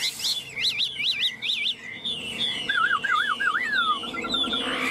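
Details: Tame Chinese hwamei in Vietnam singing confidently while held in the hand and teased: a series of looping whistled phrases, then lower wavering trills and a falling slur, ending in a short dotted run.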